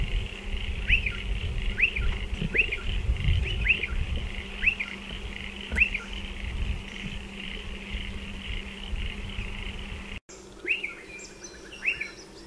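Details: Striated pardalotes nesting in burrows in a dry stone wall. Short upslurred calls repeat about once per second, then pause. After a brief break, more of the same notes sound at lower volume over steady low background rumble.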